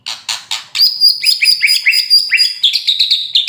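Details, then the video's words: Moulting white-rumped shama of fighter type singing fast: a sustained high whistle over which rapid rising chips repeat, then a quick run of high notes. "kretekan murai mabung fighter tembak LB"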